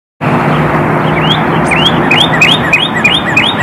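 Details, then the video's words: A northern cardinal calls a quick series of about nine clear, rising slurred whistles, two or three a second, over a steady roar of traffic. "Northern CARDINAL Calling"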